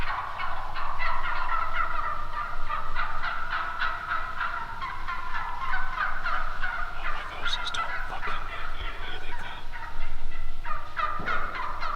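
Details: Several wild turkeys calling almost continuously, with dense, rapid, repeated notes overlapping through the whole stretch and a few sharp clicks near the middle.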